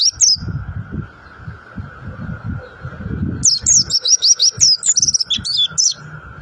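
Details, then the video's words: Montanus white-eye delivering rock-and-roll style song, a lively run of high, looping twittered notes after an opening chirp, against a steady hum and low rumbling. "Aksi pleci MONTY (Montanus) dengan ROCK & ROLL nya."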